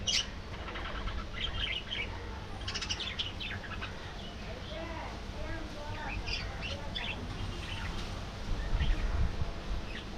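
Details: Budgerigars in a colony giving a busy warbling chatter of short chirps and scratchy notes, with a steady low hum of background noise throughout.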